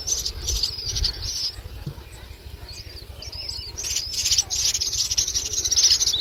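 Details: Common myna nestlings begging as an adult brings them a lizard: raspy, hissy high chatter in uneven bursts, a quieter stretch in the middle, then louder, more continuous rasping toward the end, with low thumps early on.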